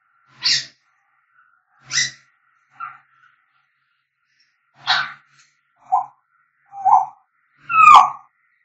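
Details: Whistling African grey parrot giving isolated calls about once a second: bright squawks, mellow low whistles, and a final loud swooping note.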